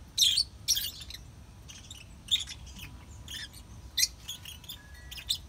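Lovebirds give sharp, high, scratchy chirps in quick irregular bursts, about a dozen over several seconds, against a low background hum.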